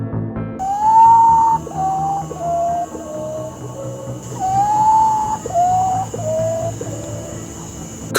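A potoo gives two mournful descending series of about five whistled notes, each starting higher and sliding lower, over a steady background hum and faint music.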